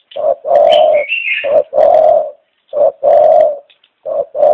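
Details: Pet dove cooing loudly and close: low, steady coos in pairs, a short note then a longer one, repeated three times with brief pauses, a thin higher whistle overlapping early on.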